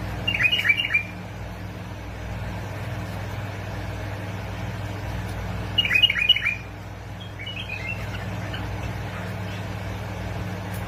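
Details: Bulbul song from Basra and Fao, played to encourage bulbuls to sing: two short rapid bursts of clear, liquid notes about five seconds apart, then a softer trailing phrase, over a low mechanical hum.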